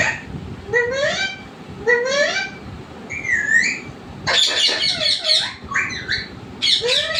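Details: Pet parrot voicing scratchy rising squawks, each sweeping upward, spaced about a second apart, then a louder rapid cluster of harsh buzzy notes and a final upward squawk, in a quiet room.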